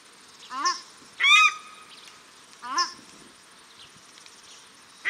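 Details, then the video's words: Paradise shelducks, male and female, at Cornwall Park, Auckland, New Zealand: a soft rising call, a loud harsh honk with a drawn-out tone, then another softer upswept call, steady hiss underneath. "Paradise Shelduck Calls"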